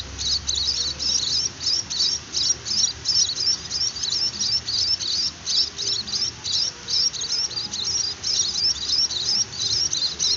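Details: Young munia being hand-fed, giving insistent high, hissy begging chirps in rapid bursts, roughly three per second, continuing steadily throughout.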